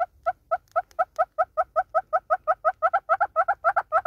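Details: Southern red-billed hornbill (Tockus rufirostris) singing in South Africa: a long series of low, hollow clucks, about four or five a second, growing louder and quicker toward the end.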